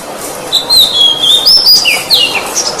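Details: Kacer, or oriental magpie-robin, in a tutoring song for other birds: a long, gently falling whistle, then a higher whistled note and a quick downward-sliding flourish, all bright and clear over light background hiss.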